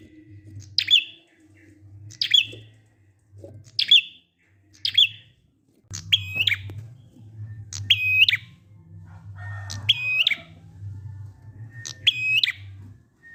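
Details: Prinia ngalun song for prompting other prinias to sing: first a run of sharp, high single chips, then a switch to longer buzzy phrases with a rasping ladder-like rattle, over a persistent low hum.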